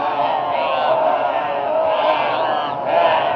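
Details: Flock of crows tormenting a barn owl, Brisbane, Australia, 22 February 2022: steady wall of overlapping harsh, drawn-out caws, loud throughout, with slight swells in volume.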